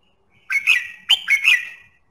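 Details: Song of a red-whiskered bulbul, used to prompt singing in other birds: two lively, clear whistled phrases in quick succession, each of two or three slurred, rising-and-falling notes, on a quiet background.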